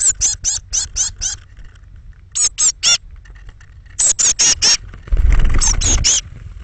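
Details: Nest-box departure of thirteen young Eurasian blue tits, early morning, 21 May 2017. Sharp, thin peeps come in fast runs of up to six evenly spaced notes, then a rumbling scuffle under the last burst.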